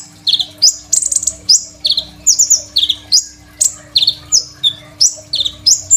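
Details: Crimson sunbird, recorded on a phone as a master for training other songbirds, pours out loud, high, sharp notes that dip and rise. The notes repeat in quick, steady succession over a faint constant hum.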